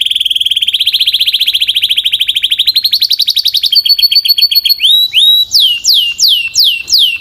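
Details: Belgian canary with a powerful, clear voice: a long fast pulsing trill that rises in pitch, shifts into a higher rattling roll, then gives loud repeated swooping whistled notes roughly twice per second.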